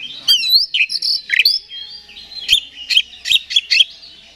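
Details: Oriental magpie-robin (kacer) song to provoke a rival: whistled and buzzy phrases, a long thin whistle, then a quick series of sharp repeated chirps.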